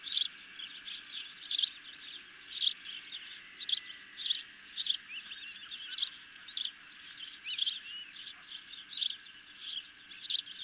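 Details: Hungry ospreys calling at the nest while a medium-sized fish arrives, nest camera, night of 10 July 2021; short bursts of high, thin chirps repeat roughly every half second to second over a steady low hum.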